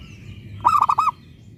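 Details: Local zebra dove, a frequently singing lure bird meant to make other zebra doves answer, giving a brief phrase of three or four quick, mellow cooing notes over low background rumble.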